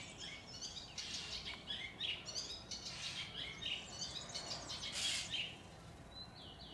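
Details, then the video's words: Eastern olivaceous warbler singing in a garden in the Bassa Modenese, northern Italy, May 2023, where it is a rare visitor; continuous rapid, grating chatter of buzzy and squeaky notes, a brief louder burst near the end. "Il Canapino pallido orientale nella Bassa Modenese"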